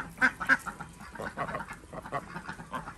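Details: Desi ducks on a village farm in Andhra Pradesh during morning egg collection: two loud, nasal quacks close together, then a run of softer overlapping quacks from the flock.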